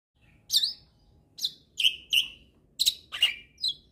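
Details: Hybrid starling (jalak hybrid) in full, lively song, recorded as a master tutor for magpie-robins and kacer birds; short high chirps and whistled notes with downward slurs, spaced by brief pauses.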